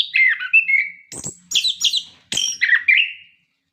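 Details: Orange-headed thrush in full song, used to prompt captive birds to sing: clear whistled phrases, some falling and some warbling, broken by sharper buzzy high notes, in quick bursts with short pauses.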